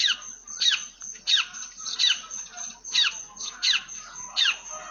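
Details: Long-tailed shrike imitating house sparrows, giving loud, harsh, downslurred squeaky chirps repeated about once every half second to second, with soft chattering between them.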